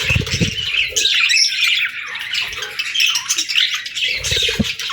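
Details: Cute pet budgerigars chirping together: a busy, continuous warble of scratchy, twittering notes and short whistles, with soft low knocks near the start and end.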